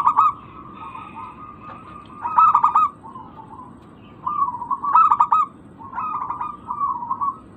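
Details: Lure recording of a local zebra dove, played to coax non-singing birds into calling: rolling mid-pitched coos broken by loud stuttering bursts of quick notes, three main phrases with softer trills between them over low background noise.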